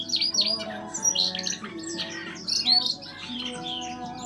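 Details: An adult male Siberian rubythroat with a red throat pours out a fast, varied warble of high, scratchy and whistled phrases with no pauses, over soft background music.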